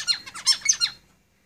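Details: Zebra finch singing in a cage: a rapid burst of buzzy, descending nasal notes run together for about a second, then stopping abruptly into quiet.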